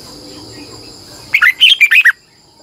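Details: Red-whiskered bulbul morning song with a long double twisted voice, used as a lure to train other birds: one short burst of quick, clear whistled and warbled notes following a quiet stretch of hiss.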